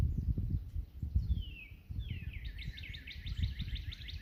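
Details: Northern Cardinal, one of several competing birds heard outdoors on a cool April 19 morning hike: long slurred descending whistles followed by a rapid run of short repeated notes, over steady low-pitched rumble and handling noise.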